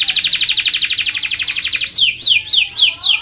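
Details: Canary singing a long tutor and prompting song for other canaries: a rapid, even rolling trill gives way to slower, loud, descending whistled sweeps repeated several times.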